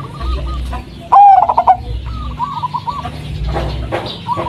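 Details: Local zebra dove of the Blorok Madu type, striped with white markings, used as a lure to prompt doves at home to call: one loud, rich, rapidly pulsed cooing burst over fainter repeated cooing from other doves nearby.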